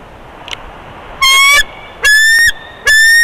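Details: Bald eagles at the Big Bear nest on 24 February 2021, while an immature Bald Eagle buzzes the nest during the second clutch: three loud, drawn-out, slightly rising harmonic cries about a second apart, with faint background hiss.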